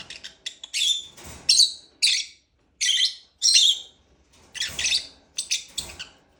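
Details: Lovebird giving sharp, shrill chirps in separate bursts, roughly one every half second to a second, with brief silent gaps between some calls.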